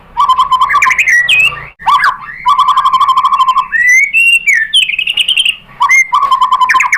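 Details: A white-rumped shama, known locally as murai batu, sings a lure song to provoke another shama, with loud sustained whistles alternating with rapid warbled bursts and rising slurs throughout.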